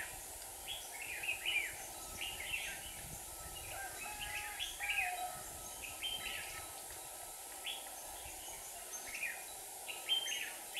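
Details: Red-whiskered bulbul used as a trap decoy in Hòa Bình, Vietnam, singing to lure rival wild birds; repeated lively warbled whistles, phrase after phrase every second or so, with faint hiss behind.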